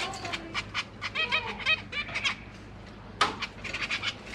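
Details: Zebra finch young being fed by their parents in a cage, three juveniles plus three newly hatched, GoPro Hero 8 recording: rapid runs of nasal, harmonic chirps repeated several times per second, a pause, then another quick series.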